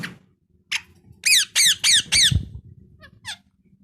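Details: Talking parrot uttering a burst of four loud, evenly repeated downward-sliding harmonic chirps, bracketed by single quieter calls before and after, with a low hum and a brief thump in the background.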